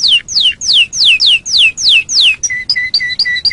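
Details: Canary song recorded as a training master for other birds: a series of about eight loud falling whistled slurs, then short repeated paired notes at two pitches.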